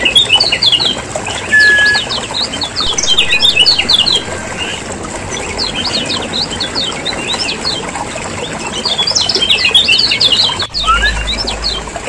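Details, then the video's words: Noisy Lombok lemon-bellied white-eyes, recorded as a lure to prompt lazy caged birds to sing: continuous overlapping high chirps and twitters from many birds, fading mid-way then building again, one brief whistle and a thump near the end. "PANCINGAN PIKAT SUARA KECIAL KUNING RIBUT"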